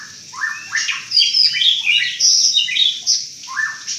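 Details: Strange-sounding song of a white-rumped shama: a jumble of high whistled notes and rasping chatter, short rising slurs, phrases tumbling irregularly with brief gaps.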